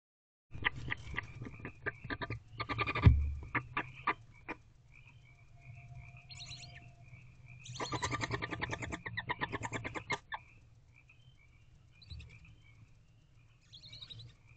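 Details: Hungry barn owl owlets, five in a nest box, begging at night (10:59 pm, 14 April 2023) while their mother feeds them; bursts of harsh broadband rasping and clicking chatter with thin faint tones between, quieter stretches separating the bursts.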